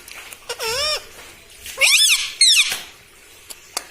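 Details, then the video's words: Talking pet parrot kept indoors, said to say mitthu and mummy: a drawn-out, wavering syllable followed by two sharp, bright, rising-falling squeaks, with room echo. "TALKING PARROT - MITTHU MITTHU - MUMMY BOLNE WALA TOTA - मे तोता में तोता है मिट्ठू मिट्ठू"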